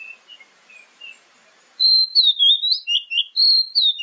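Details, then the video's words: Oriental magpie-robin song used as a lure track to prompt other birds to answer, morning and evening: after a faint start, loud clear whistled phrases sweep up and down in quick succession, several notes a second, each bright and slurred. "SUARA PANCINGAN KACER PAGI-SORE DIJAMIN LANGSUNG NYAUT"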